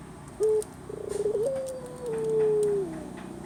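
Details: Zebra dove, known in Java as puter, in a soft low cooing song: a short opening coo, a quick rolling stutter of notes, then one long, even, sustained coo that drops slightly at its close, over a faint steady background hiss.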